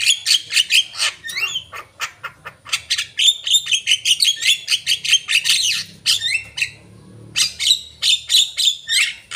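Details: Javan myna singing loudly, a rapid, steady stream of harsh squawks and rising whistles, with a short pause near the end before the chatter resumes.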